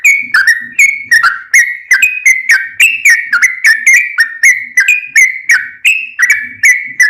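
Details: Lively 'ropel panjang' song of a Sooty-headed bulbul, meant to lure other bulbuls into singing; clear, fluty whistled notes dropping slightly in pitch, delivered nonstop at about three per second.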